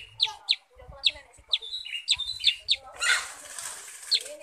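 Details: Sooty-headed bulbul (kutilang sutra) rattling off quick high downslurred chirps and short twitters, then a burst of broad rushing noise like flapping, followed by one more chirp.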